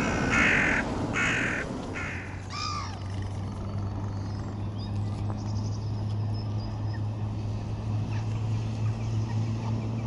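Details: Eurasian oystercatcher: a few loud, sharp piping notes in quick succession at the start, then a steady low engine-like hum for the rest.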